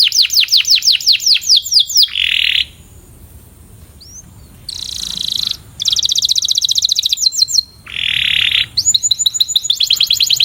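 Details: Canary training song of the puxada type, meant to improve singing: fast rolled trills of repeated downward-sweeping high notes, a harsh buzzy burst, then a silent pause of about two seconds before more rapid trills and buzzy tours.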